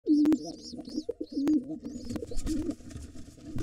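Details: Wild pigeons fighting at an occupied nest with two nestlings, a gray intruder against the white father: low moaning coos near the start and again at one and a half seconds, with sharp knocks and scuffling noise through the rest.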